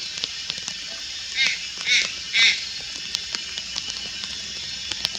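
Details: Malayan night heron juvenile at Lugu, August 4, 2022: three hoarse, grating calls in quick succession roughly half a second apart, each short and nasal, against a continuous insect drone.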